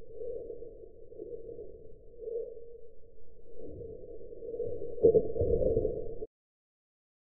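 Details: A muffled mid-pitched hum with soft thumps that grows louder, then cuts to silence after about six seconds.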